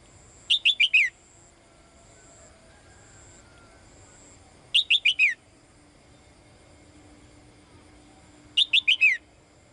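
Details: Calls of a female bird directed at the male: three evenly spaced bursts of four rapid, bright, descending notes, roughly four seconds apart, with little else audible.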